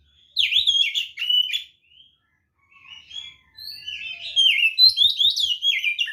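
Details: Energetic fighting song of a white-rumped shama meant to provoke rivals: bursts of varied whistles and rapid trills, broken by brief quiet gaps, then a long tumbling run of warbled notes.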